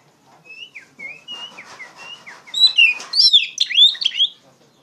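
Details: Oriental magpie-robin in full loud song, offered as tutoring material for untrained poci birds: faint thin whistles lead into a rich run of fast, varied, swooping whistled phrases.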